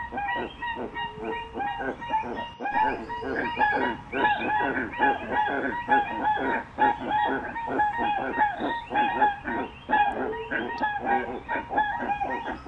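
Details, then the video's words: Dense, steady run of nasal, goose-like honks from a crested guan, repeated almost without pause for the whole stretch, with a lower droning note underneath. "Canto de la Pava Cojolita"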